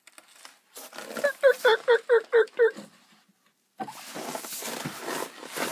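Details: Turkeys in the morning, giving a run of six short, evenly spaced mid-pitched yelping notes with a clear rhythm, then a burst of broad rustling and shuffling noise.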